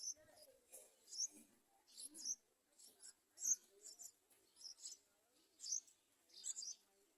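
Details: Adult yellow-vented bulbuls trying to feed a baby bird: scattered high, scratchy chirp bursts roughly once a second, with a few softer lower squeaks mixed between them.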